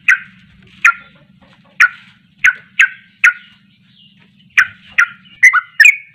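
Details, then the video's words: Sooty-headed bulbul, singing 'ropelan' with emotion to provoke rivals: spaced single sharp chirps over a low steady hum, quickening at the end into bubbly, tumbling phrases. "Ropelan Penuh Emosi Langsung bikin Panas Bunyi Trucuk Lain"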